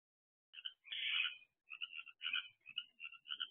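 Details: Barn owl in an owl box shortly after midnight on 2 June 2023, an owlet two months after hatching: a series of short, raspy, chittering notes, one longer harsh burst near the start, then broken twittery bursts in quick succession.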